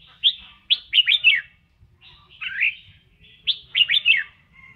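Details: Red-whiskered bulbul in voice training, singing as it dances: lively phrases of rapid downslurred whistles, a warbled middle phrase, then a repeat of the opening pattern, clear over a quiet background.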